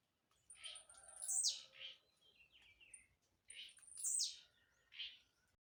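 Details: Blue-black grassquit, called a jumping singer that sings anywhere. Two short bright bursts about three seconds apart, each a sharp high note sweeping steeply down between clipped chirps, with faint softer notes between bursts over a quiet background.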